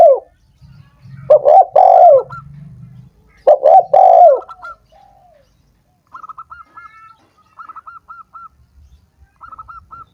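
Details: Spotted dove call used to stimulate lazy doves that are slow to sing: two loud hoarse coo phrases over a low hum, followed by repeated quick series of higher, looping notes.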